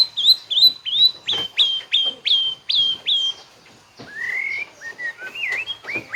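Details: White-rumped shama singing its full song repertoire: a series of about eight clear whistled notes that each drop sharply, repeated roughly every third of a second, followed by lower, rising and wavering whistles.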